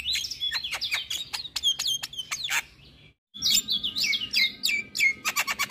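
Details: Javan myna chatter meant to coax mute or moulting caged mynas into singing: quick slurred whistles mixed with sharp clicks, a brief silence, then more rising and falling whistled phrases.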